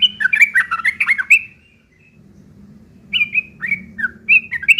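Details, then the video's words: Yellow-vented bulbul, rough chattering meant as tutoring material for long-tailed shrikes: a dense burst of harsh, jumbled chirps, a short gap, then several clipped downslurred notes; low hum behind. "trucuk ngeriwik kasar isian burung CENDET"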